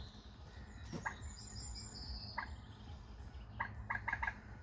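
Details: Calling waterbird along British canals and rivers, recorded from a boat: a single sharp note, a pause, then a quick cluster of three or four clipped calls near the end over a constant low hum and faint high twittering.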